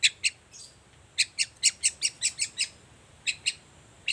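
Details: Long-tailed shrike singing actively in the morning, used as a lure to set quiet shrikes calling: harsh, scratchy chirps in irregular bursts, a tight run of about eight notes in the middle, with pauses between groups.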